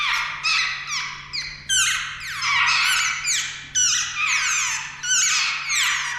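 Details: Jungle babbler chicks expected to take their first flight that day give a near-continuous chorus of harsh, squeaky, downslurred calls, several overlapping with hardly a pause, over a faint low hum.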